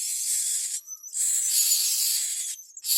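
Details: Common myna feeding its young: nearly continuous harsh hissing broken by two brief pauses, with a faint thin whistle at the start.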